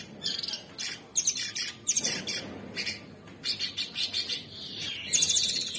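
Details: A bulbul, labelled cucak cungkok (tagged Orange-bellied Leafbird), sings a fast, chattering stream of bright, buzzy phrases in quick bursts, with a few sharp squeaky notes and little pause between them.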